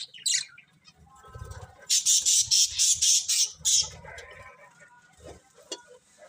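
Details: Colourful budgies calling: a run of about eight loud harsh squawking chirps in quick rhythmic succession, surrounded by softer warbling chatter.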